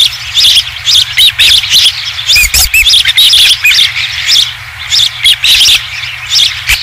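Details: Ospreys at a ranch nest on 20 July 2016 as the first fish is brought back; dense, high, repeated chirping calls come in quick bursts, with a steady low hum throughout.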